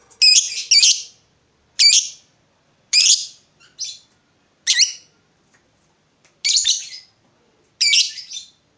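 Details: Lovebird calling to draw other lovebirds to answer; loud harsh high squawks in doubled bursts, spaced roughly a second apart, with silence between.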